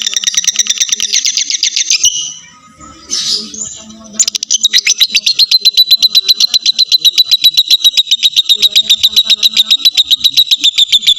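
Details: Full ngekek trill from a lovebird, used to coax longer singing from other lovebirds: a rapid, high chatter breaks off briefly around a noisy burst, then resumes as a long, steady stream of quick repeated notes.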